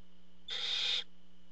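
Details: Barn owl at the nest as the parent arrives with food: a single harsh, hissing screech lasting about half a second over a steady low electrical hum.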